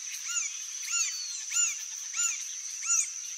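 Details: A male green-barred woodpecker gives five arched, slurred notes about every 0.6 seconds, rising then falling, over a steady high insect drone.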